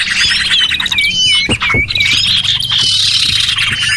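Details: Several small birds give repeated whistled, down-curving chirps and fast twitters, used as a lure to attract small birds, with a few dull knocks in the background.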